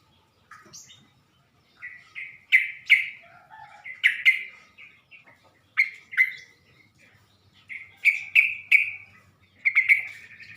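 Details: Sooty-headed bulbul voice played as a lure to stir other bulbuls: short, bubbly, liquid notes given singly or in quick pairs and triplets, with gaps between phrases, in a quiet background.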